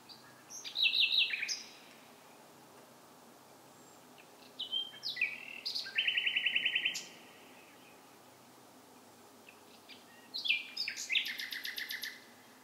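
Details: Bird singing at night in separate loud phrases, each mixing clear whistles with fast buzzy trills, divided by pauses of a few seconds of quiet.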